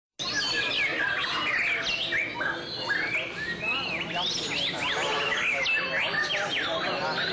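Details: White-rumped shama in song display: a rapid, rich outpouring of varied whistles, slurred up- and down-sweeping notes and sharp chips, delivered almost without pause over seven seconds.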